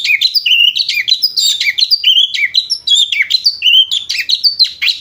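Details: Chattering lovebird-like song of a white-rumped shama, a dense run of quick high whistled and buzzy notes, rising and falling without a break for five seconds.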